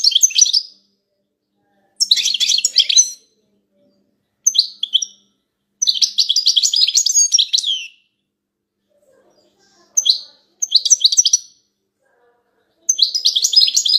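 A small bird gives bursts of high, twittering chirps separated by brief silences.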